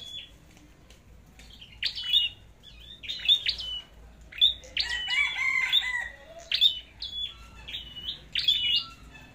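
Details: Singing-contest red-headed flowerpecker, starting after a near-silent second with sharp high chips and falling whistles, then a denser tangled burst midway, phrases spaced about a second apart.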